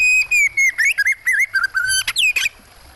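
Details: Oriental magpie-robin singing over a water soundtrack: a fast, continuous run of loud, clear whistles, some level and some swooping up or down, ending in a harsh, buzzy flourish.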